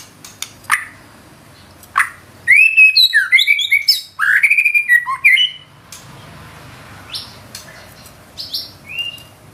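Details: Energetic 'gacor' white-rumped shama shooting its 'isian' fill-ins: scattered sharp ticks, then a dense run of bright slurred whistles and chatter, easing back to occasional high chips.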